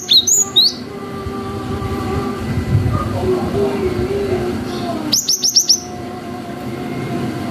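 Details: Cinereous tit (gelatik batu) in full 'gacor' song with long 'wucit' phrases, used as a lure to provoke young birds to answer: two short bursts of sharp, high, rapidly repeated whistled notes separated by a long gap, over steady low background noise.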